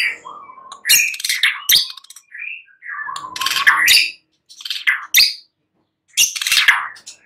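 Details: Night song of a white-rumped shama, used as a lure: harsh raspy bursts broken by short whistles and quiet gaps, with faint low background hum early on.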